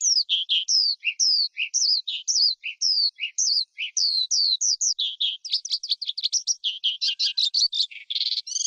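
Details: Wild skylark song, delivered as a rapid run of sharp, high chirps and slurred whistles, quickening near the end into dense, buzzy trills; no other birds or noise.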